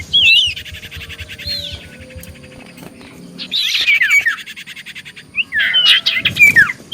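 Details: Common iora singing to provoke other ioras into answering: scattered bursts of looping whistles and buzzy chatter separated by quiet pauses of two to three seconds.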